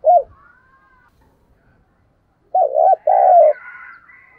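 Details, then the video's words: Spotted dove, a decoy bird calling to lure wild doves: a single short coo, a pause, then a group of low coos ending in a long sustained note, with thin higher bird chirps overlapping at the end. "tiếng chim cu gáy mồi chuẩn cực hay gáy gọi bổi nghe về cội liền"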